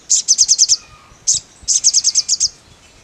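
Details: Mangrove blue flycatcher in full song: a fast string of six high, sharp chipping notes, a lone note, then a longer run of about eight, all thin and high-pitched, on a quiet background.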